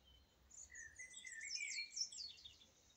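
A song thrush sings a brief run of high, varied whistled and squeaky notes lasting about two seconds, over a soft background hiss.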